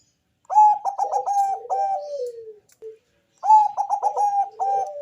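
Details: Deep-voiced Bangkok-type zebra dove singing to lure other doves into calling. Two phrases of loud, rapid staccato cooing notes slide into a lower drawn-out falling coo.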